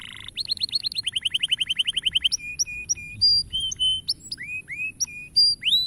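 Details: Canary song used to motivate young canaries to sing: a rapid rattling trill of about twenty sharp notes, then separate sustained whistles at shifting pitches and a few rising slurred notes.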